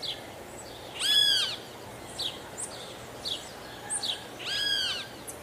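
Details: Guira cuckoo giving two strong arched whistles about three and a half seconds apart. Softer short notes are scattered between them, with a steady low hiss outdoors.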